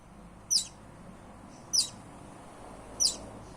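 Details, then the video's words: Baby buff-banded rail in the Philippines: three thin, very high, sharp peeps, each brief and rising then falling, spaced about every 1.2 seconds over a soft steady background hiss. "Baby buff-banded rail sounds"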